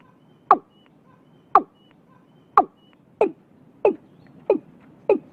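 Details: Vietnamese watercock calling early in the year: widely spaced, sharp-edged hollow notes, each dropping quickly in pitch, about one per second at first and then coming faster, with brief faint whistles between.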